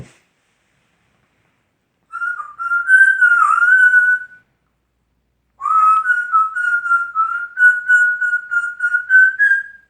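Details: A pet male African Grey parrot whistles tunes he composed himself. One bending, wavering phrase is followed by a pause and then a long, steady, slightly pulsing whistled line that rises at its close.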